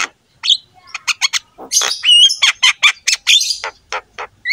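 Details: Javan myna (jalak kebo) in full song, played as a training model for other mynas: quick series of clicks and scratchy notes building into loud grating squawks and a few whistled slurs, closely spaced.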